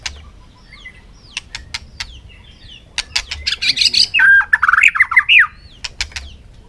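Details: White-rumped shama, fired up for a singing contest in afternoon sun, perch-bouncing; scattered clicks and faint whistles build into a loud, buzzy then fluty warbled phrase of rapid twisting notes.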